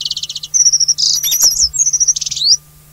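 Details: Alpine accentor, endemic Taiwanese subspecies, recorded on rocky alpine terrain at Hehuanshan, Taiwan: loud, high, fast-rattling trills mixed with sharp whistled slurs, one rising at the end, in continuous chatter lasting about two and a half seconds.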